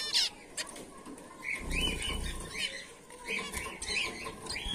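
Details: A colony of several white Bengalese finches, males and females, gives short, nasal, chirpy calls that overlap every half second or so, with soft wing flutters underneath.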